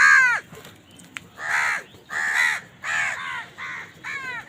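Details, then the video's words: Crows feeding and squabbling over food. Five harsh, nasal caws about one per second, the first loud and strongly down-slurred, the rest rough and buzzy with quieter gaps between. "Crow bird crowing sound"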